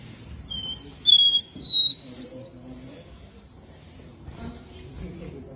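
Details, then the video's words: Caboclinho seedeater singing with strong vigor: a series of four clear whistled notes, each higher than the last, climbing in steps over about two seconds, followed by quiet background. "CABOCLINHO CANTANDO COM BASTANTE FIBRA"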